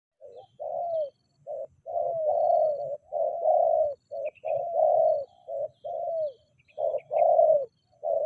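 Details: Spotted dove giving repeated low, mellow coos in short phrases, each note slightly falling, with brief pauses between groups and faint high chirps from other birds in the background.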